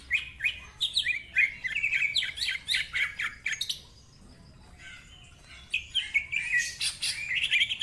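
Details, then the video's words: Greater green leafbird song with a bold ngentrok delivery and mimicked phrases: jumbled whistled and buzzy notes tumbling quickly for several seconds, a brief lull, then a renewed burst of slurred whistles. "Cucak Ijo Gacor Ngentrok Full Isian, Nembak Rapet Suara Kasar Isian Mewah"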